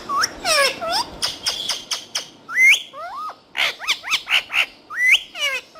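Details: Green talking parrots produce a busy run of bright, rising and falling whistled squawks. Some notes are harsh and buzzy, with a quick looping phrase near the middle and pauses between bursts.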